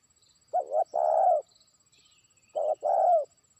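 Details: Spotted dove trained as a lure, calling to a distant rival. There are two short phrases, each a rough stuttering note followed by a longer falling coo, about two seconds apart.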